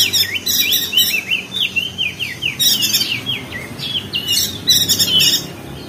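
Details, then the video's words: Crested white-eye (perenjak daun), Lombok, West Nusa Tenggara, chattering ngeriwik-style to rouse lazy singers: a fast, wavering run of zigzag twitters, interspersed with harsh high bursts. "Masteran perenjak daun [ opior jambul ] ngeriwik josh"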